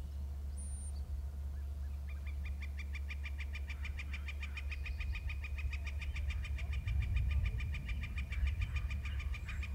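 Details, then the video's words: Male eagle trilling at 14:07. After a brief high squeak, a long, even trill of rapid, pulsed notes begins around two seconds in and runs on steadily to the end, over a constant low background hum. "Eagle trills (Male)"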